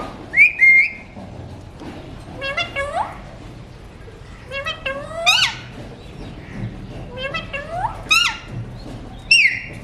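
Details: Talking Alexandrine parakeet kept as a pet, a mutation variety, uttering scattered word-like phrases: short buzzy harmonic syllables, some upward-sweeping and some dipping, separated by pauses of about a second, with a faint room hum underneath.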